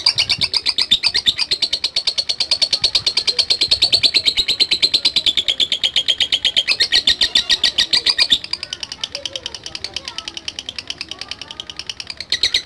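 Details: Lovebird calling in reply to a lure: long sustained ngetik chatter made of dense, machine-like high chirps. It weakens slightly partway through and then carries on.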